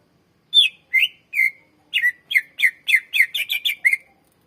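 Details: Greater green leafbird singing strongly as a lure for birds in training: spaced downslurred whistled notes that speed into a rapid, even series of about a dozen bright chirps.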